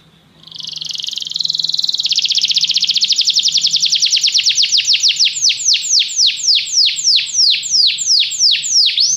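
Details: Canary song played to get a canary singing; after a quiet start, a buzzy note swells into a long rapid trill that slows into distinct downward-sweeping notes repeated several times a second.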